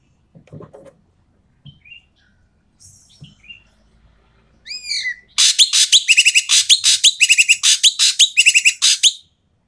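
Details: Asian pied starling with loud, harsh calls used to stir quiet starlings into song; faint whistles and low knocks first, then a clear rising whistled phrase and a long fast stream of buzzy, grating rasps.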